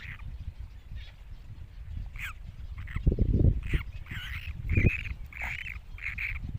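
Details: Great cormorant chicks, a few uneven squeaky calls at first, then a quicker run of bright nasal yelps with slight pitch wobbles, against a steady low background rumble and a couple of thumps.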